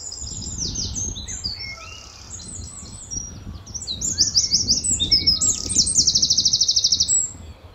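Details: Very lively Eurasian wren singing loudly at Standalone Farm, Letchworth, on an early March 2014 morning, answering a nearby wren from its territory: high jumbled twittering phrases building to a loud, rapid, even trill near the end.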